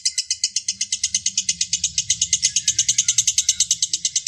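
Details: Lovebird ngekek song, a training recording meant to prompt other lovebirds to sing long: a rapid run of sharp, high, chattering chirps repeated about seven times a second, steady and unbroken throughout, with a faint low hum beneath.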